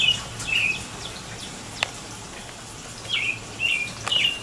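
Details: On April 22, 2018, an American robin sings in the rain: two groups of three quick slurred whistles, separated by a pause, with a single sharp click midway and light rain hiss throughout.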